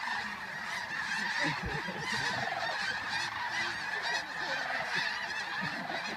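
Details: Flocks of geese rising at dawn at Bosque del Apache, New Mexico, 10 November 2013, make a dense, roaring mass of honks that stays loud and busy from start to finish.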